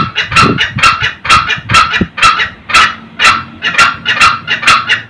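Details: Male and female red junglefowl cackling with harsh clucking notes about twice a second in a steady, slightly uneven run, over faint low background noise; used as a lure call for old wild males early in the morning.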